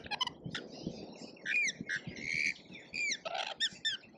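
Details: Lorikeets in a feeding frenzy at a feeder in Australia: shrill, harsh screeches and rasping squawks in quick overlapping bursts, several birds calling at once over a low rumble.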